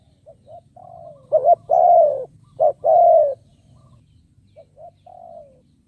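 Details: Caged decoy spotted dove cooing: soft short notes lead into two loud, quavering coos with a longer sliding tail, then fainter coos trail off, a low hum underneath.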